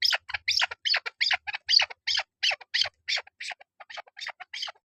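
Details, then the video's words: Female chukar partridge (chakor) call used for hunting: a rapid series of harsh, clucking notes, about three per second, steady throughout, with faint low thumps early on. "Shikari Chakor sound Keklik sesi voice Female chakor awaz"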